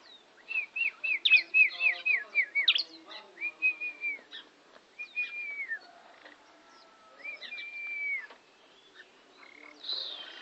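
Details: Tame bar-winged prinia at Kawali, Ciamis, a tutor bird for canaries, singing a quick run of repeated whistled notes that step downward. Longer slurred whistles follow, then softer, more scattered phrases.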